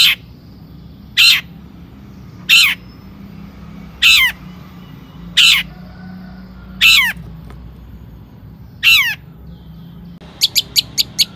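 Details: Long-tailed shrike (cendet) singing energetically, used as a lure to excite other shrikes into song: sharp, high, downslurred notes spaced about every one and a half seconds, ending in a quick burst of five short high pips.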